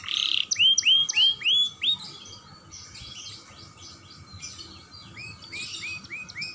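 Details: Young canary singing as a lure for other canaries, with loud rising swept whistles repeated about twice a second, then softer buzzy chatter and quieter upturned notes.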